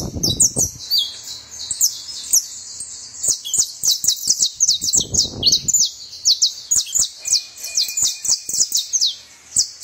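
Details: Saffron finch sings rapid, high chirping notes in a dense chattering series lasting several seconds, with low rumbling bumps at the start and midway, plus scattered clicks.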